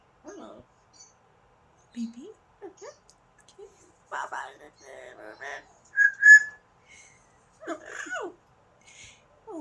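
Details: A pet Amazon parrot having a lively day gives a string of short rising and falling whistles, then a loud, clear whistle midway, with chattering sounds and a person's voice praising it.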